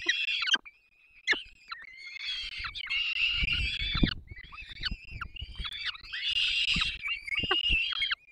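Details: Feeding time at a Polish peregrine falcon nest, Dolina Baryczy, 3 May 2024: chicks give strained, grating squeals and drawn whines, almost nonstop after a brief early gap, with a burst of low scraping mid-way.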